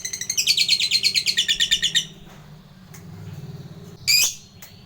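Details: Lovebird lure call for a fighter bird: a rapid rattling chatter of high notes for two seconds, quieter background hum, then one loud harsh squawk.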